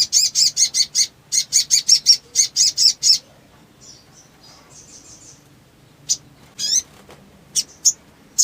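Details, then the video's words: Sogon, the Black sunbird, singing hard in ngleper style as a lure for quiet birds: a fast run of about fifteen shrill repeated notes, then softer twittering and a few scattered sharp chips. "SOGON GACOR FULL EMOSI NGLEPER ! PANCINGAN MACET BUNYI"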